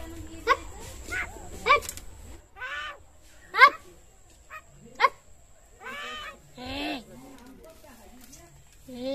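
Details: Common myna talking: a series of short harmonic, speech-like phrases mixed with sharp clicks and brief whistled notes, spaced irregularly with quiet gaps between them.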